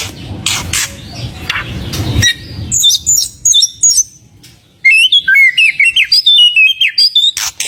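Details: White-rumped shama singing briskly, meant to provoke other birds to sing: after a few harsh bursts, a fast stream of high clear whistles and trills, sweeping up and down in short repeated phrases with brief pauses.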